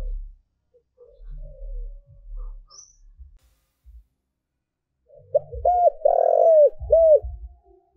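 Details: Lure spotted dove calling to draw wild doves: after a quiet start with low knocks, a single coo phrase of short rounded notes rising into a long, full central coo, then falling back, ending with dull thumps.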